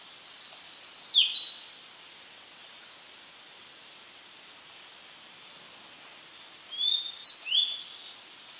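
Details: A blue-and-white flycatcher, filmed at very close range, sings softly while holding food in its beak: two short, high phrases of four or five quick whistled, downslurred notes, several seconds apart, over a faint steady background hiss.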